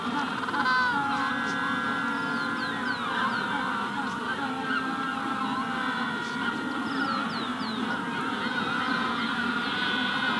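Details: Massed calls of Magellanic penguins at a colony in the hatching stage: steady, buzzy, harmonic honking from many birds at once, punctuated by a rufous-collared sparrow's brief downslurred whistles.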